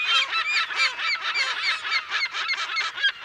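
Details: Close, dense chorus of California gulls in a colony, mono recording of unknown date: many harsh, nasal, slurred calls overlap in rapid succession, several each second, without pause.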